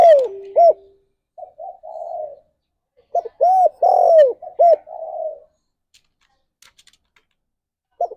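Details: Spotted dove cooing meant as a morning lure to stimulate mating: arched, hollow coo notes and longer rolling, slightly descending coos in irregular bursts, separated by silent gaps, against a quiet background.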